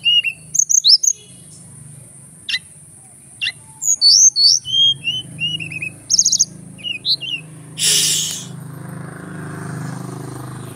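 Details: Singing male Javan whistling thrush of Merapi origin: scattered sharp notes and clusters of looping whistled phrases, broken by a loud rushing noise burst near the end, steady hiss and low hum throughout.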